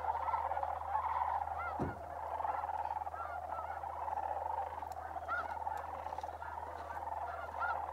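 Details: Sandhill cranes migrating through Bosque del Apache Wildlife Refuge, New Mexico, in December, a massed chorus of rolling calls with scattered arched notes, a thump near two seconds and sharp clicks later, over a low hum.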